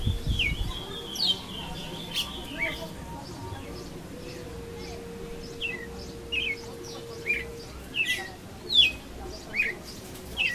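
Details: Young brown-plumaged red-cowled cardinal practising its song little by little; sparse, short whistled notes, each a quick downward slur, scattered irregularly over ten seconds above a steady low hum and faint background noise.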